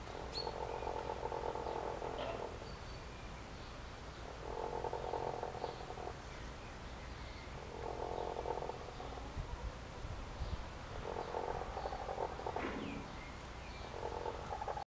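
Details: Newly arrived ex-battery hens, still recovering, purring: low, rough, trilled purrs lasting about two seconds each, returning roughly every three seconds, with faint higher clucks between and a steady low hum underneath.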